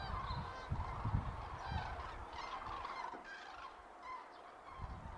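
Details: Common cranes on autumn migration over Mittelhessen, Germany, on 31 October 2022, in poor filming weather: distant, overlapping trumpeting calls from a flock, with low rumbling wind noise throughout.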